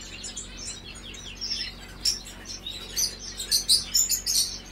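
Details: European goldfinch singing a high, rapid twittering song of thin chirps and tinkling notes, growing louder and denser in the second half, with a faint low hum behind.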